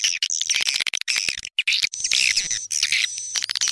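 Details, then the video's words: Swiftlet call made to attract swiftlets, used by swiftlet farmers; rapid shrill chirps and squeaks crowd together, with a thin sustained high whistle running through the second half. "Suara panggil walet"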